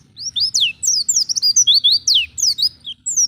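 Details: Wild-style Oriental white-eye song meant to coax captive birds into singing: a continuous, rapid stream of high, sweeping whistled notes and twitters, bright and tumbling, with a faint low hum beneath.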